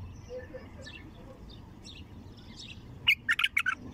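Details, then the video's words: Wild bulbul singing in a deep, full-throated voice. Faint, thin chirps of other birds sit over low background rumble, then a loud burst of rich, warbled notes comes in several quick, separate phrases near the end. "تغريد بلبل وحشي خام أول فتحه حنجره ثكيله"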